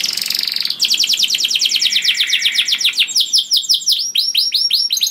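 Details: Lively canary song, loud and melodious, suited to luring other canaries; a buzzing roll gives way to a long rapid train of down-swept notes, then clipped repeated whistles.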